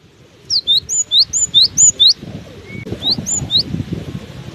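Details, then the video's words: Cinereous tit singing on through strong wind: a run of clear, sharp two-note whistles, each dropping then rising, repeated rapidly for about two seconds, then a pause and a shorter burst, over steady low wind rumble. "Diterpa angin kencang! burung gelatik batu ini tetap gacor"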